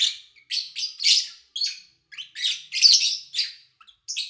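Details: Pet lovebirds chirping in August 2019, captured cleanly over a quiet day: harsh, high-pitched chips and scratchy tweets in irregular bursts of half a second to a second, with short silent gaps.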